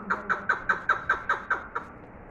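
A chukar gives a fast run of about nine loud, clucking chuck notes, roughly five per second, fading at the end. Faint background hum.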